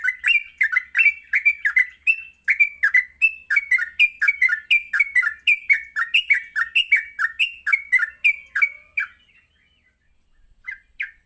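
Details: Lively yellow-vented bulbul morning song meant for training young bulbuls to sing in the ngropel style: a fast run of bright, clipped, slurred notes, about three a second for nine seconds, then a pause and a few more notes.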